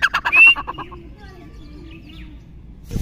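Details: A Chukar partridge gives a quick run of about nine clucking chuk notes in under a second, slowing and fading, then a thin rising whistle and near silence.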